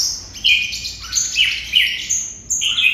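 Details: Vietnamese red-whiskered bulbul delivering 'hút mật' style singing, a continuous chain of bright, slurred whistles that step up and down, several notes each second, no other sounds.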